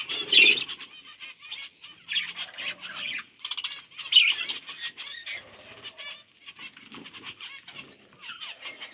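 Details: Budgerigars chirping while eating seeds: a continuous, chattering warble of high, buzzy, rapidly repeated notes. A few sharper squeaks stand out above the steady flock chatter.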